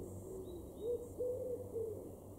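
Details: Common wood pigeon in a garden in Weener, Ostfriesland, far northwestern Germany, in April 2021, giving soft, low, hooting coos in a short rhythmic phrase of four or five notes, the longer middle note slightly stressed, against quiet background hum.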